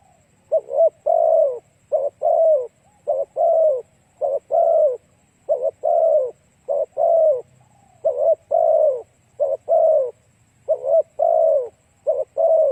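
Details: Repeated cooing of a spotted dove used as a lure for other doves: a steady run of low hollow phrases, short stuttered coos alternating with longer downward-sliding notes, about one phrase every second, background otherwise quiet.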